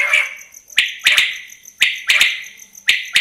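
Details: Quail calling: loud, harsh calls, each opening with a sharp burst and trailing off, repeated about once a second, over a steady high pulsing insect-like buzz.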